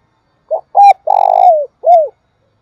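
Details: Spotted dove's long coo, in the thúc bổi and gáy gọi calling styles. One phrase: a brief low note, a steadier hoot, a drawn-out vibrating coo sliding down at its end, then a short downward-curving note.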